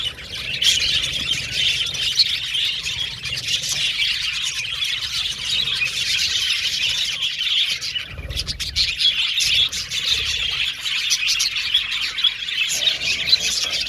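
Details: Flock of budgies chattering in an aviary: an unbroken wash of shrill chirps, squawks and warbling, with a short lull near the eighth second before the busy chorus resumes.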